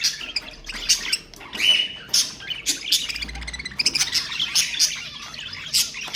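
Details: Continuous budgerigar chatter used to encourage other birds to sing: scratchy squawks, clicks and a short whistled note mixed into a rapid, uneven stream of high twittering.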